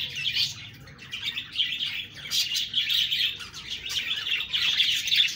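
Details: Continuous budgie chatter of bright, high twittering chirps in irregular pulses, fairly loud throughout.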